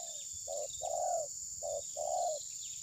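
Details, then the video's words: Phone recording of a spotted dove used as a trapping decoy: two paired coo phrases, each a short note then a longer hollow one, with a thin high insect whine behind. "Mikat terkukur || pikat tidak mau mukul~ TERKUKUR TABIR"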